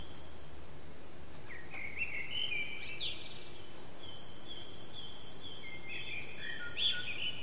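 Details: Backyard common blackbird singing in the morning: several flute-like warbled phrases, each a couple of seconds long, some closing with high thin squeaks, against constant faint background noise.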